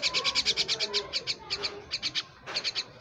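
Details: A pet common myna gives fast, harsh, scratchy chatter in bursts of rapid notes with brief pauses. Fainter low tones sound in the background.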